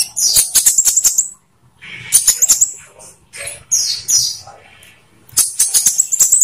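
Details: Olive-backed sunbird in captivity, song played as a lure to get captive birds singing: bursts of very high chirps and trills alternating with short quieter gaps, sharp clicks throughout.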